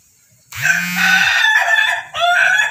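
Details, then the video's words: A Pelung rooster (chicken) gives a long, full-toned crow held steadily for about a second and a half, dips briefly, then swells into another drawn-out phrase. "ayam pelung berkokok panjang"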